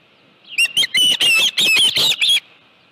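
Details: Short series of about seven sharp, high whistled yelps from an osprey at a ranch nest holding a live fish, 25 July 2018, late afternoon; the notes come quickly and then cut off.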